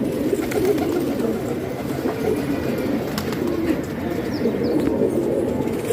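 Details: Pigeons kept as a hobby in Pakistan murmur in a low, bubbling cooing chorus, steady and overlapping from start to end, with faint scratching and clicking sounds.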